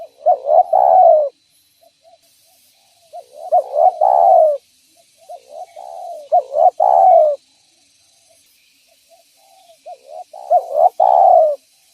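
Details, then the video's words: Spotted dove calling vigorously, a call used as a lure to attract other spotted doves: four mellow cooing phrases, each a short two-part rising coo then a longer falling drawn-out coo, spaced about three seconds apart; faint hiss behind. "Suara Burung Derkuku Gacor Cocok Untuk Pancingan Dan Pikat Tekukur"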